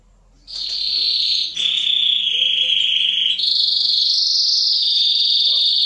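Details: Male canary song for training and rousing females to mate: a continuous fast rolling trill that shifts between several steady pitch levels, dropping lower and then rising again, with a quiet start.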